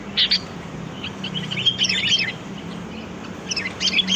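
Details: A sooty-headed bulbul used as a lure sound gives scattered high chirps and short twittering phrases over a steady low hum.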